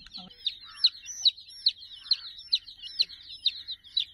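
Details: A chick among a flock of about 60 near a teddy toy gives clear, sharp, high chirps, each a quick rise and drop, repeated about every half second over a quiet background.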